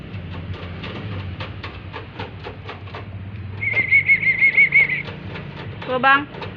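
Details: Pet black-capped lory, a tame talking bird said to call "mama"; a wavering, warbled whistle holds steady for about a second, followed by a brief harmonic, voice-like call, over soft tapping and room noise.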